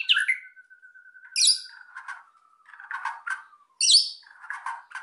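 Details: Softer white-rumped shama singing intended to provoke quiet birds: a long low steady whistle beneath scratchy chatter and short high buzzy bursts recurring every couple of seconds.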